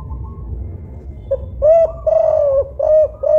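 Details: Loud Songgo Ratu spotted dove with a five-note 'kuk 5' coo, kept to lure other doves: after a quiet start, a short note then drawn-out deep hollow coos and two clipped ones, low hum underneath.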